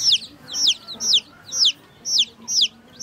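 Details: Baby chicks drinking water: loud, high, descending peeps repeated about twice a second in a steady rhythm, over a faint low hum.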